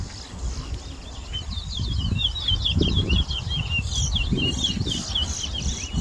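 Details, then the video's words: Towa towa seedfinch song at a bird whistling competition at a bird ground in Berbice, Guyana, 2022. Rapid, high whistled notes pour out in a steady chattering stream, over heavy low rumble and crowd noise. "TOWA TOWA BIRD WHISTLING COMPETITION IN BERBICE"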